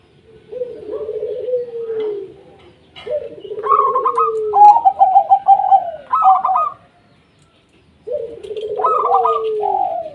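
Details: Local zebra dove song, used as a lure to set other doves singing: three bubbling phrases, each opening with a long descending trilled coo followed by clipped ticking notes and rolling warbles, with a silent gap before the last.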